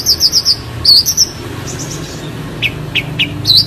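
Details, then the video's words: Long-tailed shrike with a clear voice: quick rising high whistles in a short run, a pause with faint notes, then a few sharp downward chips and a final whistle. "Burung Cendet Suara Jernih"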